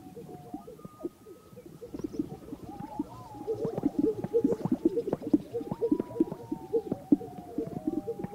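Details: Morning lek of greater sage-grouse in the sagebrush of North Park, Colorado, birds in courtship display; quiet start building into dense bubbling pops and gulping plops from several displaying birds, with a faint sliding whistled tone above.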